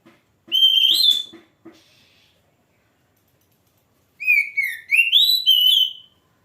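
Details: Oriental magpie-robin singing loud, clear whistled phrases: a rising and falling burst near the start, a pause of about two seconds, then a longer run of sliding, upward-stepping whistles with no other sounds.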